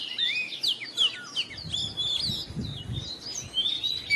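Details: Morning song of an Oriental magpie-robin, with a steady stream of high whistles and chirps. Continuous background hiss and low rumbling noise are heard under the singing.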